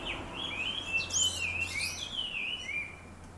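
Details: Dawn chorus from birds crowding a large black locust tree in town: overlapping whistled phrases swoop up and down, with a sharp high trill near the middle and a low steady hum below.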